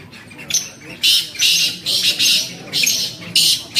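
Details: Black francolin, called kala tetar or chakree, filmed in the UK: harsh, high, rasping bursts repeated roughly every half second, with a steady background hiss.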